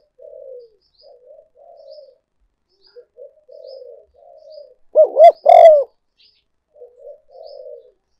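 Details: Decoy recording of a spotted dove for luring: a run of soft, low muffled coos, broken by one loud pair of arched hooting notes near the middle, then more quiet coos.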